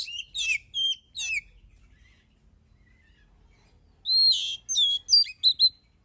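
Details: Oriental magpie-robin (kacer) in full song, used to draw other birds into singing: two bursts of loud, high, rich whistled and chattering phrases with a quiet gap of about two and a half seconds between them.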